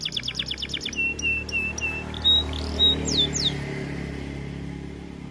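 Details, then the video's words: White AF canary sings a short burst of fast high trilling and a few flat whistles and downslurs, over a steady low mechanical hum that carries on after the bird stops. "Kenari AF warna putih GACORR DORR"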